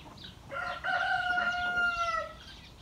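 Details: A rooster gives one drawn-out crow lasting nearly two seconds at breakfast time on 8 October 2022 while chickens eat. It rises at the start, holds steady, then falls away at the end, with faint farmyard noise behind.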